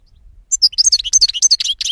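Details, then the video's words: European goldfinch song: a quick burst of high, bright twittering notes, sharp chirps and short slurred whistles packed together in about a second and a half, over a quiet low rumble. "Cante De Jilguero"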